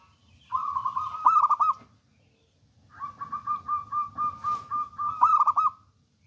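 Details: Zebra dove of local wild stock, singing often and bold in temperament, used as a trapping lure: two long phrases of rapid, evenly pulsed low coos, each swelling into louder stuttered notes.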